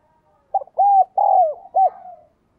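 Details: Spotted dove used as a lure bird, cooing and calling to draw wild doves. It gives a single low, hollow phrase of four coos: a short opening note, two longer drawn-out coos, then a brief final note. The background is quiet.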